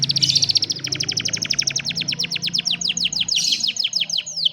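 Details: Training song for a lazy canary, phone-recorded: one long, even rolling trill of fast repeated notes runs almost unbroken through the whole stretch, with a low droning hum underneath.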